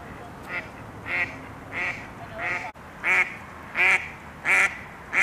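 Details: Female Mallard ducks quacking loudly as they argue over males during mating season, with males bobbing their heads in courtship nearby; eight harsh, nasal quacks spaced under a second apart, growing louder in the second half.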